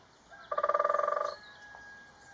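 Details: Great spotted woodpecker (Dendrocopos major) drumming, recorded from a hide in Galdames, Bizkaia: a single fast roll of about seventeen strikes in under a second, resonant and hollow, with a faint thin whistle behind.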